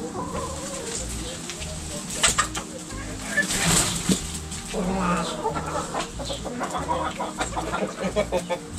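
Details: Backyard chickens, roosters and hens, pecking and scratching while making noise: scattered low clucks with a louder squawking burst near the middle, over steady background hum.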